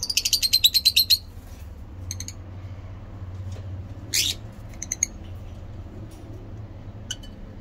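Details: Pet lovebirds of mixed mutations, bred in captivity: an opening fast stuttering trill of shrill notes, then sparse sharp chirps and one rasping screech, over low background hum.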